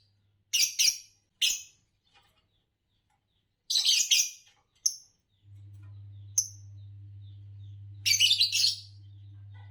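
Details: Chirping from a green Fischer's lovebird: a series of harsh, buzzy bursts, some doubled, with short shrill squeaks between them. A low hum starts partway through.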